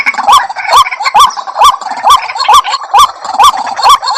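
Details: White-breasted waterhen calls played as a lure sound: loud, nasal upslurred notes repeated steadily about twice a second, each with a bright harmonic overtone, in a clean, unbroken run.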